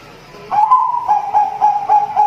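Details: Zebra dove (perkutut) with an unusual voice likened to a person coughing: after half a second of quiet, a steady mid-pitched tone breaks into short pulsed coo notes about every quarter second, with faint hiss behind.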